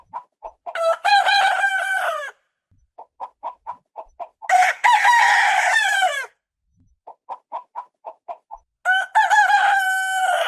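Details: Domestic rooster crowing on a farm at the start of the day: three long, loud, harmonic cock-a-doodle-doo crows, each lasting about one and a half seconds, separated by runs of short clucks.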